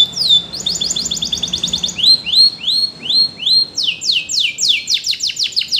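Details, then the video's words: A canary sings a training song: a rapid stuttering trill, a series of rising whistles, then a fast run of sharp downward-sweeping notes. "Canary Singing Bird Sounds At Its Best / Melodies Canary Bird Song"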